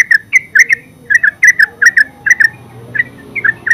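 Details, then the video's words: Yellow-vented bulbul, known in Java as terucuk, in ngeropel song: quick, rolling, liquid chirps in pairs and triplets, steady and loud. "Terucuk full suara ngeropel terbaru 2023"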